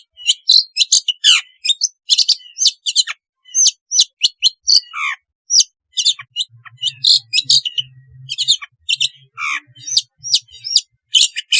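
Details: Continuous long-tailed shrike song meant to coax quiet shrikes into singing: a rapid, varied stream of sharp chirps, rasping notes and falling whistles, with a low hum partway through.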